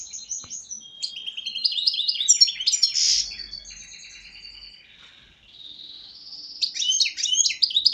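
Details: Captive European goldfinch, caught the year before, sings a bright, fast twittering song of high liquid notes, trills and buzzy slurs in a continuous flow, with a brief pause before a final burst.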